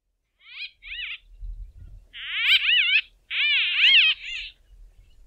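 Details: A White-fronted Bee-eater gives nasal calls: two short burry notes, then two longer rolling, wavering phrases, mid-pitched and throaty, with a faint low rumble underneath.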